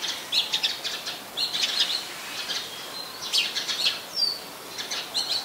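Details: Oriental magpie-robin (Copsychus saularis) in Ubon Ratchathani, Thailand, on 24 December 2020 giving quick bursts of high, scratchy chirps and short clear whistles, repeated every second or so against a soft outdoor hiss.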